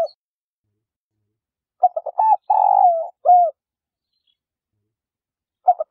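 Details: Female spotted dove calling to stimulate males to coo: a cluster of short stuttering notes, then a long buzzy drawn-out coo that falls at its end, closed by one shorter coo, with silence around the phrase.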